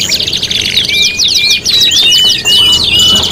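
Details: Canary song prepared as tutoring for cage contests, five materials in one: fast high trills broken by a series of clear, level whistled notes repeated about once every half second, with a brief dip near the middle.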